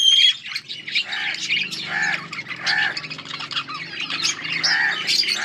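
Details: Yellow budgerigars, several birds, recorded August 20, 2024, chirping: dense high twittering and squawky chatter, with a lower arched note repeating about once a second underneath.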